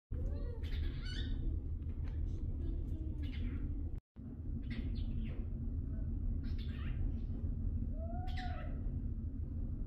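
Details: A cockatiel named Sunny talks, chattering in scratchy, speech-like phrases mixed with short whistled notes over a steady low rumble.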